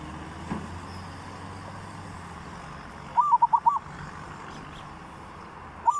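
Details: Zebra dove singing in the 'three provinces' style as a training lure: one rapid phrase of five coos midway, then the start of another at the end, against a low background rumble.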